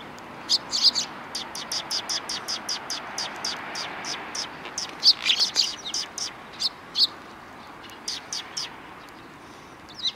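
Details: Sparrows on a road in front of a Tenmangu shrine, 13 December 2019: a dense run of short, high, sharp chirps repeated rapidly, several birds overlapping, with a few louder chirps near the middle and soft background hum.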